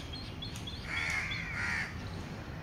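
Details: Indian grey hornbill on a home lawn during lockdown, chicks leaving the nest: one loud, strained squealing call that wavers slightly in pitch, preceded by faint high chirps, over a low background hum.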